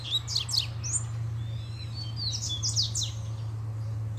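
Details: Double-collared seedeater singing excitedly for a female: rapid high chirps and descending whistled slurs throughout, under a strong, constant low hum.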